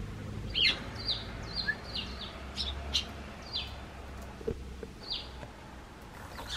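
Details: In a garden, Eurasian tree sparrows on a bench call to the person stepping out of the house. Quick, high chirps slide downward, scattered irregularly over several seconds. A light outdoor hum runs underneath.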